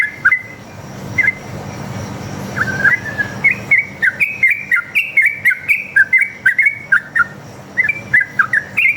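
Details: Sooty-headed bulbul with fighting-style 'ropel' song, played to make other bulbuls reply: a few isolated whistles, then a steady stream of chortling, up-and-down whistled notes over faint background hum.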